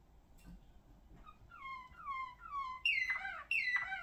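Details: Caged Malinois Waterslager singing canary, ring 28/23, from Spain: a series of soft descending tones repeated about twice a second, followed by two louder, rougher bursting phrases.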